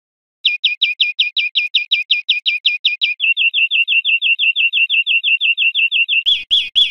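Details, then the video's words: Teaching recording of European greenfinch song for cage birds: a rapid run of clear descending chirps, then a smoother, lower series of quick rolling trilled notes, closing with a few harsh, buzzy notes. "Canto Verderon cd educador"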